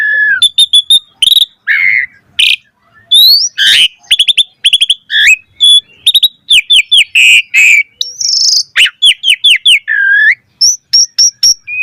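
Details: Varied, lively song of an Asian pied starling, meant as a master recording for training starlings: a steady stream of sharp whistles, slurred downward notes and rapid chirps, with a lower fluting whistle near the start and end.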